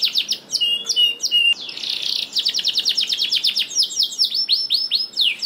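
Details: Canary singing, played as a lure so reluctant canaries start to sing: fast chattering trills, a buzzy burst, then long runs of quickly repeated high sweeping notes.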